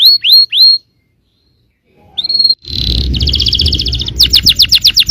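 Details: A yellow canary sings to provoke other canaries: three swept whistled notes, a brief pause, a short trill, a buzzy held note, then a fast rattle and a pulsed run of repeated chirps.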